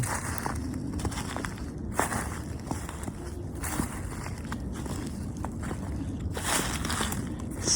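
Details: Outdoor footsteps crunch irregularly over a low background rumble, with no animal calls.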